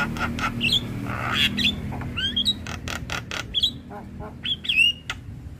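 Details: Master recording of a Black-winged starling for training other starlings: loud rasping squawks alternate with clear whistled upslurs and downslurs, over a steady low hum.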